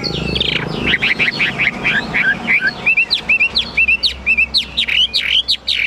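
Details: Chinese hwamei in a cage, singing high: quick bright whistled phrases with rising and falling slurs, growing steadier and more evenly spaced toward the end, over a low background hum.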